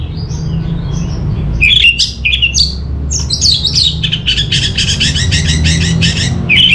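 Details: Song of an orange-headed thrush, played to prompt other birds to sing: faint high notes, then a varied mix of slurred whistles and chatter, ending in a fast string of repeated scratchy notes.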